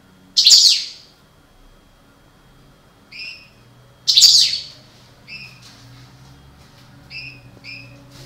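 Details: Parva goldfinch pair kept for breeding: two loud, harsh buzzy bursts about four seconds apart, with short paired chirps in between and after.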